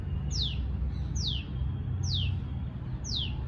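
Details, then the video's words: A tailorbird gives a long call of sharp, high notes that slide downward, four in a row at just under one a second, over a constant low rumble. "Tailorbird sound| Call"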